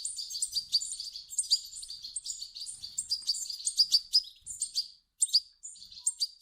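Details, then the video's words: A steady run of high, twittering begging calls from European goldfinch chicks, played to move an adult goldfinch to song; the stream briefly stops near the end, then resumes with sharp chirps. "صوت فراخ حسون يحفز حسون على تغريد"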